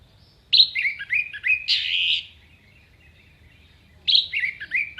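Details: Orange-headed thrush singing a tutor song with sharp phrases for training contest songbirds: bursts of clear, high warbled whistles that drop in steps, a loud burst near the middle, a pause of about two seconds, then a similar falling phrase.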